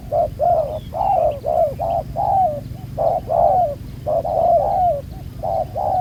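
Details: Cooing spotted dove, newly caught from the wild using a ground decoy, black-spotted collar; dense series of mellow, slightly falling coos in quick groups with brief breaks.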